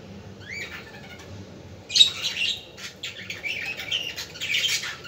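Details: Budgerigar sounds to stimulate budgies: a few faint rising chirps, then a sharp squeak that opens into steady high twittering chatter.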